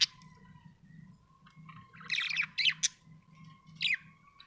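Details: Happy budgie giving a rapid run of scratchy chirps midway, then one more short buzzy chirp, against a soft low hum.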